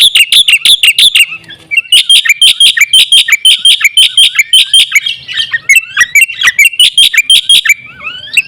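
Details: Black-winged myna singing hard, played as a lure for other mynas. Quick, loud, clattering notes repeated in bursts, mixed with upward-slurred whistles near the end.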